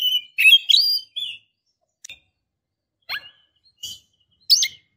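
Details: In breeding condition, a female Oriental magpie-robin calls a male: a short tumble of whistles and chirps, followed by scattered single sharp notes spaced about a second apart.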